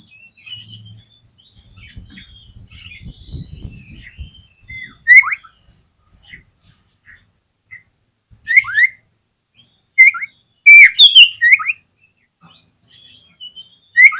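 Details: Lure song of a white-rumped shama, meant to make other shamas respond and sing: soft high twittering and a low rumble at first, then loud clear whistled phrases with rising and falling sweeps, coming in bursts every few seconds.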